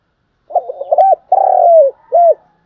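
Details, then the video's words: Spotted dove used for trapping, calling with the standard lure coo: stuttered low notes leading into a long rough coo that falls away, followed by a single short rounded note, clean and uncluttered. "tiếng cu gáy mồi chuẩn gáy gọi dùng kích bổi tập mồi rất hiệu quả"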